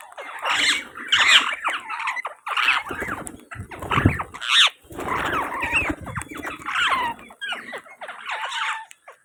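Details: Indian ringneck parakeets on 19.1.24 giving loud grating squawks and shrill squeals in repeated bursts, roughly one every second, with rough chattering between.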